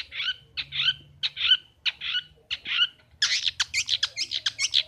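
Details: Long-tailed shrike, a caged pet bird kept by the owner's father, singing after he comes home from the rice field: harsh broadband notes about twice a second, then a faster run of sharp, scratchy mimicking phrases.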